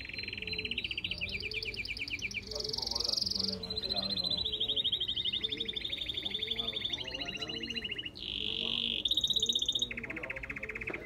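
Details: Red canary singing a continuous, varied song of rolling trills and buzzy, fast-repeated phrases that shift in pitch every second or two, with rattling tours and a steady low background hum.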